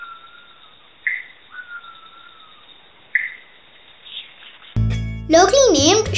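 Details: Sri Lanka bay owl (Phodilus assimilis), a strictly nocturnal bird of moist montane forest, calling: thin, drawn-out whistles, some slurring upward and others held and gently falling, about every two seconds; loud music and speech break in at the end.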